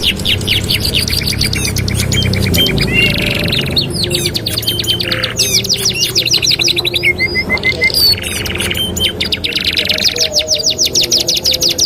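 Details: Canary song used as a master song for training canaries: dense, fast trills of repeated notes, buzzy rattles and clear whistled slides in layered phrases, with overlapping song lines and a faint low background hum.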